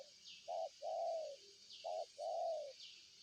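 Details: Two clear phrases of spotted dove cooing, each a short low note followed by a long, smooth, slightly falling coo. Steady high insect buzzing continues behind the bird.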